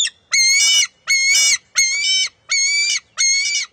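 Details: Bald eagle eaglet refusing to share a fish with its mother at the nest, June 23, 2021: five loud, drawn-out, piercing squeals with rich overtones, spaced evenly about two-thirds of a second apart.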